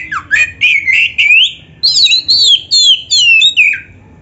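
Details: Oriental magpie-robin singing continuously, recorded as a tutor for young magpie-robins: rapid rising whistles and scratchy notes, then clearer, higher looping whistled phrases, all delivered in a dense unbroken stream.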